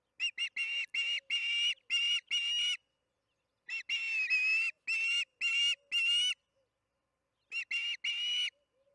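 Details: Osprey at its nest during evening feeding, Charlo nest camera, June 21, 2019, 8:15 pm MDT: loud, harsh whistled chirps in rapid bursts of several notes, separated by short silent pauses.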